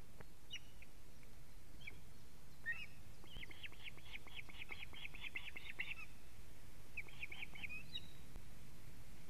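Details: Alarm calls of an osprey at a Latvian nest, 19 July 2017 around 19:43, when the male delivers a living fish; scattered chirps build into a fast, even string of high whistled notes, then a short final burst, amid constant hiss.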